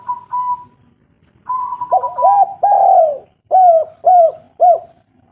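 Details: Spotted dove lure call meant to get reluctant birds calling: a soft opening note, then a rolling string of throaty coos, ending in three evenly spaced, rounded coo notes about half a second apart.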